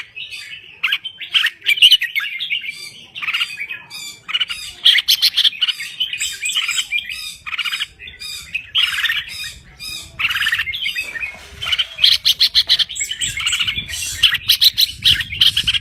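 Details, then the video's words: Crested bulbul from Thailand singing energetically: dense, harsh chattering and squawky warbles run almost without pause, with short loud bursts scattered throughout and faint low background noise. "Kicau Burung Merbah Jambul Gacor"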